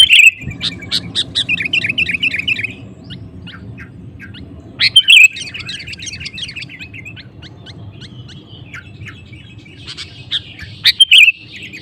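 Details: Sooty-headed bulbul (kutilang) singing to provoke other males to join in: loud bursts of bubbly warbled notes near the start and middle, scattered thin chirps between, and a steady low background hum.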